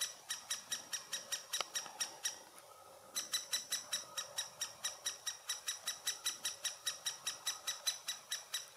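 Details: Great spotted woodpecker at its nest in Furuberget, Hamar, Norway, summer 2017, filmed handheld on a Panasonic Lumix FZ2000: harsh, broadband rasping notes repeated about three per second, breaking off briefly around the middle before resuming just as steadily.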